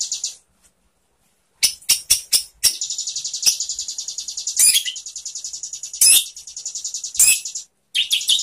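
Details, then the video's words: White-rumped shama singing for use in training other shamas, with bursts of fast, very high buzzy chatter and sharp clicks separated by short silences. "SUARA MURAI BATU bikin GACOR BONGKAR ISIAN ¦ MASTERAN MURAI ¦ SHAMA BIRD"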